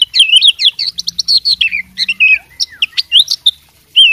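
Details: Oriental magpie-robin, a fighting bird, singing a loud, fast, varied song of sharp whistles, rapid chirps and slurred high notes, with barely a pause between phrases.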